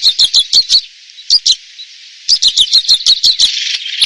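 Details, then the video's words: Red crossbill song: bursts of sharp, quickly repeated downslurred chip notes, a run of about six, a pause, a couple more, then a longer rapid series of chips over faint hiss. "red crossbill song"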